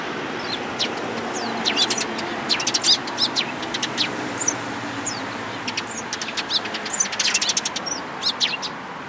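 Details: Eurasian tree sparrows chatter at a Tenmangu shrine in Japan on 14 April 2022. Many quick overlapping chirps run through most of the recording over a low background rumble.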